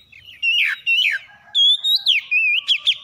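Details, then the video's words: Oriental magpie-robins answering each other in the morning with harsh, rough song used as a lure: loud whistled phrases that rise and fall, interspersed with slurred, scratchy notes, in bursts about every half second. "PANCINGAN KACER PAGI HARI SALING SAUT SAUTAN KASAR"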